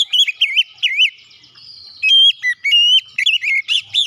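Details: Oriental magpie-robin song used as a lure to rouse reluctant magpie-robins into singing: loud, clear whistled phrases with looping up-and-down notes, a short pause near the middle, then sharper rising and falling whistles.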